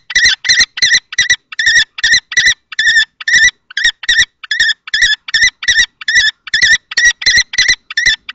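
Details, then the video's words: Fight between an adult and a juvenile male common kestrel for a nest box in Théding, France, March 2024: a long, quick train of sharp, grating, high calls, around three each second. "Bagarre entre 2 mâles - 20/03/2024 - Les faucons crécerelles de Théding"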